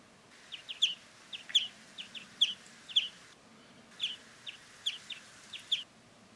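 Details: A European greenfinch in winter, feeding on an unharvested grape crop, gives short, bright, slightly nasal twittered notes in quick pairs and triplets, in two bursts separated by a brief pause, over a low background hum.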